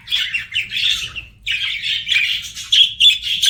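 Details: Pet budgerigar warbling: a dense, buzzy chatter with twittering notes, a short pause after one second, then resuming louder with sharp chirps.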